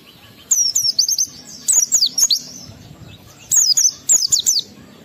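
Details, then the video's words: Pleci, the Oriental white-eye, in a high-energy lure song to trigger breeding urge in other white-eyes: two clusters of rapid, shrill, slurred twitters separated by a short quiet gap. "Pendongkrak Emosi Pleci Tercepat agar Pleci cepat Ngalas gacor buka paruh || Pancingan Pleci"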